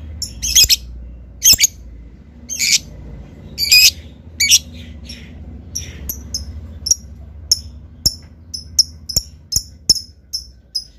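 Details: Lovebird giving harsh, buzzy squawks at first, then a quickening series of short, piercing high chirps with clicks, over a low background hum.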